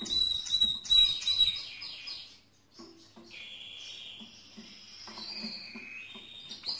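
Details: Mosaic canary singing: a loud, rapid high trill that fades after a second and a half, then softer gliding whistled phrases, some sliding downward, with a brief pause between.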